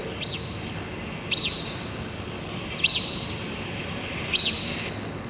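Richard's Pipit giving four loud, harsh, rasping single calls, roughly one every one and a half seconds, over a steady low background hum.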